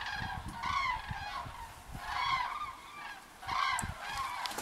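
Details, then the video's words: Common cranes flying back to the roost in single file; loud rolling trumpeted calls come in three bursts about every one and a half seconds, several birds overlapping, with low wind or handling rumble beneath. "Les Grues cendrées (Grus grus) rentrent au dortoir"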